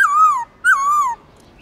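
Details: Black-throated laughingthrush song played to rekindle a pet bird's urge to sing: two loud, pure whistled notes, each rising briefly then sliding gently downward, separated by a short pause.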